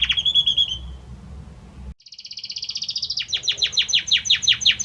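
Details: Male Belgian canary singing to his female; warbled phrase, a short silence, then an accelerating high rapid trill turning into repeated descending sweeps.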